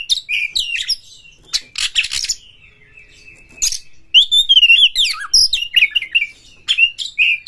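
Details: Oriental magpie-robin singing to stir up other birds: rasping bursts and a steady long whistle, then a fast, fluid sequence of rising and falling whistled notes.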